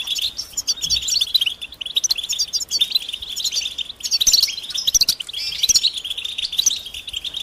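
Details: Mating and readiness calls of European goldfinch, in the bitbita style used to prompt a quiet male to sing: near-continuous high, quick twittering and chirps, with a few sharper, louder notes around the middle and later.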